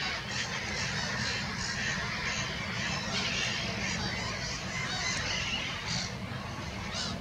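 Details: Flock of black-headed gulls at Monikie giving a busy chorus of rasping, scratchy calls that overlap constantly, with a few sharper cries standing out, set against a strong low rumble of wind.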